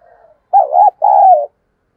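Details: Excited cooing from a spotted dove kept as a decoy: a soft opening murmur, then two loud, mellow, drawn-out coo notes. The first dips and wavers and the second is long and level. No other sounds.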